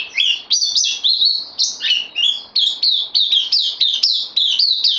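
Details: Bulbul on loan as a new arrival, 12 September 2020: a few varied opening notes, then a steady series of clipped, descending high chirps at about two per second.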